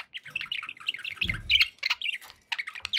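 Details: Pet budgerigars chirping happily: dense, rapid warbled chirps and chatter, many overlapping, with a brief low thump near the middle.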